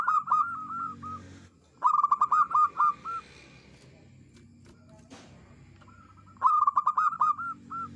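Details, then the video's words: Lure song of a local village zebra dove with a clear, prolific voice. Three phrases, each starting with quick, clipped stutters and then rolling into several longer, ringing coos, separated by silent pauses. Faint low hum behind. "merbok kampung perkutut lokal gacor suara jernih andalan untuk pikat"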